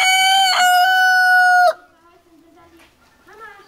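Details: Chicken (Gallus gallus domesticus), crow.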